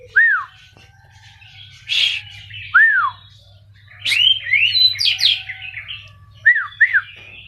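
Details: Champion oriental magpie-robin from Pati, let out to fly freely as in the wild, sings loud arched whistles that drop sharply, mixed with harsh buzzy notes and a rapid varied phrase of rising whistles; low mechanical hum behind.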